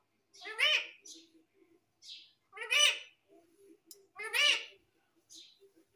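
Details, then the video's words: A pet parrot gives three raspy, harmonic squawks about one and a half seconds apart, with soft murmuring sounds between them. "Tote Ke Bolne Ki Aavaj"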